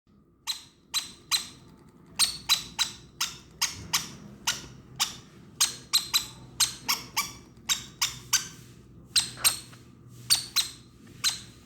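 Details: Conure chick crying while being hand-fed; short, harsh, broadband squawks come singly and in quick pairs or triplets, roughly once a second, over a steady low electrical hum.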